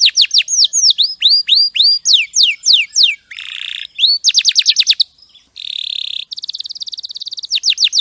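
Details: Champion canary tutor song, crisp and clean: quick hooked whistles, a grating buzz, a run of fast ringing notes, a short gap, then a rough buzz and a high rapid trill.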